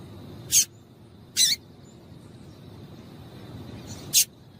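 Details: Calling female double-collared seedeater, used to excite the male: three separate high, dry chips, the first two close together and a third after a gap of nearly three seconds.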